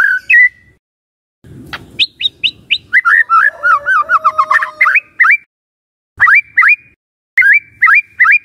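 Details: Shama song used to lure and provoke rival white-rumped shamas: varied whistles, a brief rustling thump, quick twittering run over a steady low tone, then spaced pairs of upslurred whistles.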